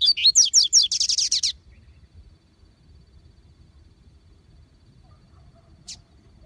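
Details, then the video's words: Double-collared seedeater singing with great vigour in the bush, with a free-living seedeater: a fast burst of high whistled notes that runs into a rapid buzzy trill lasting about one and a half seconds, then near silence and one brief high note. "Coleiro Ouro Branco com Muita fibra no mato!"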